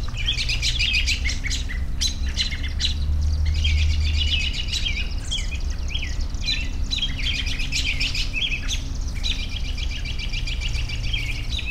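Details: Busy dawn-chorus-like mix of rapid chirps, trills and short whistles, about three notes a second, running nearly without pause over a low hum.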